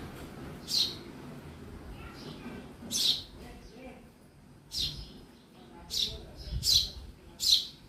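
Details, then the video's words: Household sparrow chirping, with bright single chirps at uneven intervals, some closer together near the end, and faint voices and room noise behind. "Real sound of sparrow in my house"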